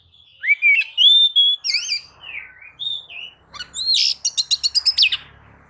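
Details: White-rumped shama lure song meant to provoke other birds into singing: clear varied whistles, slurred rising and falling notes, a buzzy upward sweep, then a fast run of about seven sharp repeated notes and a final swooping whistle.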